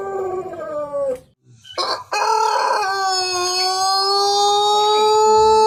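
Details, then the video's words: Plered Pelung cockerel from Purwakarta: a falling note breaks off into a brief pause, then a loud, drawn-out crow rises and holds a bright, ringing tone to the end, with a faint low thud near the close. "Kompilasi Suara Ayam Pelung Plered"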